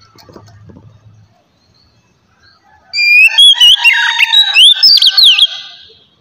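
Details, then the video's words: Magpie-robin, Oriental, singing relaxed ngeplong song to stimulate untrained birds: after a faint low hum and near silence, a loud rich phrase of warbled, zigzagging whistles with rapid sharp notes lasts about two and a half seconds. "kacer ngeplong santai ampuh merangsang kacer bahan agar cepat bunyi"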